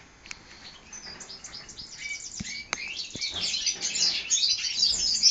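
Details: European goldfinch hybrids, four months old, 2012 season, start with scattered soft chirps and clicks, then swell into loud, continuous high twittering and trills toward the end.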